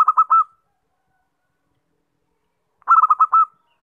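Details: Zebra dove lure call used to attract birds: two bursts of soft, rapid cooing notes, each a quick run of stuttered coos ending in a longer drawn-out note, separated by about two and a half seconds of silence; clean recording.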